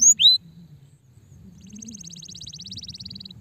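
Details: Canaries described as stressed, used to stimulate other canaries to sing: two sharp descending whistles open, then a long fast trill of rapidly repeated high notes over a low continuous hum.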